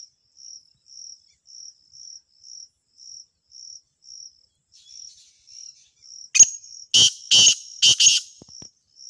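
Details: Black francolin (kala teetar) calling on a river bank: a loud, harsh, grating burst of several rasping notes near the end, after steady high cricket chirping about twice a second.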